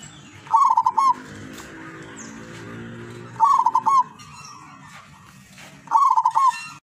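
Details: Wild-caught zebra dove from Tuban in East Java gives long, sweet trilled coo phrases roughly every two and a half seconds. Low background hum and bird chirps are also heard.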